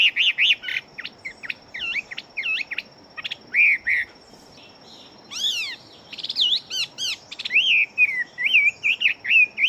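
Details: Chinese hwamei kept as a fighting bird, delivering a fast, energetic song of loud whistled phrases: repeated looping notes, sweeping up-and-down slurs and a closing run of wavering warbles, separated by brief gaps.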